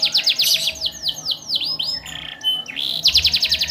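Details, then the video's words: Domestic canary in steady 'gacor' song, fancy 'cengkok mewah' phrasing meant to prompt other canaries to sing: quick high trill, a sequence of swooping downward slurs, a brief buzzy note, then a rapid repeated chatter. "Suara Burung Kenari Gacor cengkok mewah"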